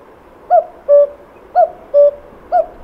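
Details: Common Cuckoo singing in Portugal, a song said to announce the arrival of spring: clear, hollow two-note 'cu-koo', the first note higher and the second lower, given about twice with a brief pause between.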